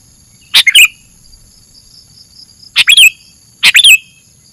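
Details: Sooty-headed bulbul lure call: three brisk chirpy bursts, each ending in a short falling whistle, separated by a two-second pause and then a quicker pair, over a faint continuous high hiss.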